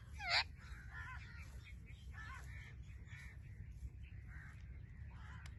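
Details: Blue-fronted amazon parrot giving a loud harsh squawk near the start, followed by several softer chattering and warbling calls over steady low background rumble.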